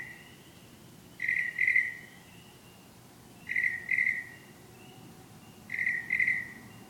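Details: Bird returning at night, described as singing love songs: three pairs of short clear whistled notes, each pair about two seconds apart, over a soft steady background hiss.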